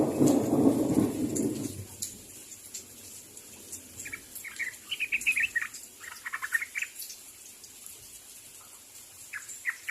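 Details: A sooty-headed bulbul calls out to others with clusters of quick warbled chirps after an opening burst of low noise. Scattered single notes trail off near the end.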